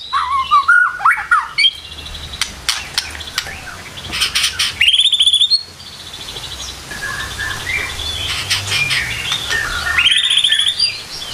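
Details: White-rumped shama, a kept songbird, singing a varied morning song: loud, jumbled phrases of sharp whistles, chattering notes and buzzy trills, with brief pauses between bursts.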